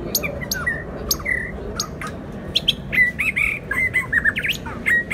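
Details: White-rumped shama singing close by: clear whistled phrases alternate with sharp clicks and harsh notes, then a busy stretch of rising and falling warbles, delivered in a lively, unpredictable sequence.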